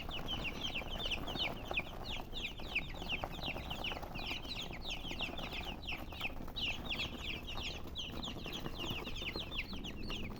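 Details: Chickens make steady, busy chirping: many thin, high notes that slide downward and follow one another rapidly and unevenly over a faint background hiss.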